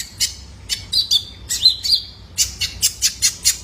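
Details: Kolibri ninja, a juvenile male Purple-throated Sunbird, recorded as a lure for caged birds: buzzy high chirps, a pair of wavering whistled notes, then a steady string of sharp clicks about every quarter second.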